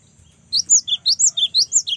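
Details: A single quick burst of about eight loud, piercing chirps from a young cinereous tit in full song. The notes alternate higher and lower in a bouncy, even rhythm.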